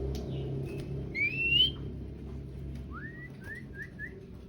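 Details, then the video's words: Male and female sooty-headed bulbuls in lively song: a clear whistled phrase slurring upward, then a quick run of four short rising whistled notes, over a low steady background hum. "Sirtu gacor memancing emosi auto nyaut bunyi bagus untung masteran tiap hari jantan betina"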